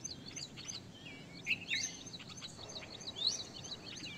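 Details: Birds singing in the evening, a lively mix of high chirps, thin whistled notes and brief rising slurs from several birds at once, irregular and continuous over a quiet natural background.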